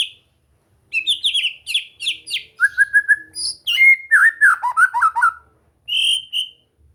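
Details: Caged white-rumped shama in relaxed training to get it singing, a clear varied song of whistled phrases, quick buzzy trills and rapid repeated notes, with a short pause before a final pair of pure whistles.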